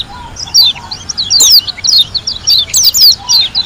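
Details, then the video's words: Lombok white-eye singing bright, high twittering notes and long steep downward whistles in quick, irregular succession, with a faint low trill near the start. "KUMPULAN SUARA PLECI GACOR ASLI DARI LOMBOK‼️ SUPER NGALAS TEMBAKAN MEWAH"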